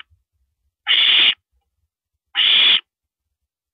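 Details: Owl on April 9, 2012 at 1:27 AM, with a female gulping down a rabbit; two long, raspy hissing screeches about one and a half seconds apart, otherwise quiet.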